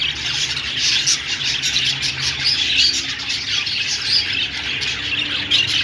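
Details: Budgerigars chirp and chatter continuously: a dense stream of high, scratchy warbling chirps with short bright whistled notes scattered through it. Several birds overlap, and no other sounds are clear.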